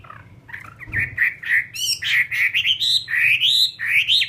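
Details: Caged fighting hwamei ('họa mi chiến') from Vietnam: hoarse, buzzy opening notes build into fast, rolling whistled loops that climb steadily higher. A dull thump sounds near the start.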